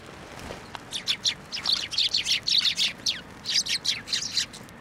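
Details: Sparrows gathering at a shrine on 1 January 2024 to be fed: a rapid, busy burst of high bright chirps, many birds calling in quick overlapping runs for about four seconds.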